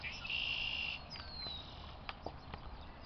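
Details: Soaring chicken hawk at Brick Pond, Elmira, New York, giving a loud, drawn-out high scream held for nearly a second, then a thinner descending squeal, with scattered clicks and faint rumble after.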